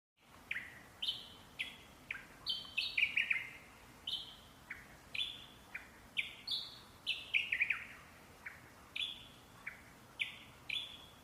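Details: Parrot song made of bright falling whistles delivered in a steady series, with occasional fast clusters of two or three notes. The notes are spaced roughly half a second to a second apart against a quiet background.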